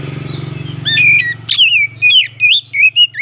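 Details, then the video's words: Oriental magpie-robin singing to rouse other birds: sweet whistled phrases with looping slurs over a steady low engine-like drone that fades midway. "Pancingan burung kacer naikan emosi"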